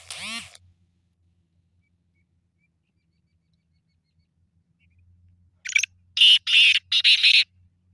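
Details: Black francolin call following a moment of a man's voice at the start, then long silence; near the end a short scratchy note and a run of four loud, rasping, grating bursts.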